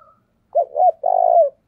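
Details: A single strong phrase from a trapping decoy spotted dove in thổ đồng voice: two quick rounded coos followed by one long, even, gently descending coo.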